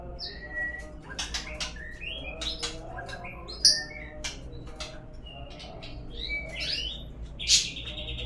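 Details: White-rumped shama singing as a lure to draw song from other birds: clear whistles mixed with rapid chips, clicks and a trilled phrase near the end.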